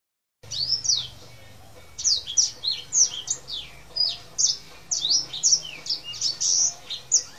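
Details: Tame male Black-throated canary singing actively in a rolling style: quick, high, thin notes sliding down, bunched into bursts that come every half second or so over a low steady hum.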